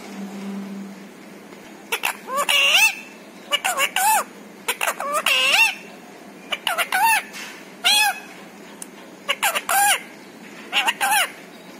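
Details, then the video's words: Pet parrot chattering in a quiet indoor setting. Its repertoire includes words such as papa, mummy, a request for roti and maau. Here it gives a string of short, wavering, nasal syllables in bursts, with brief pauses between phrases. "छोटू मिट्ठू की प्यारी बातें"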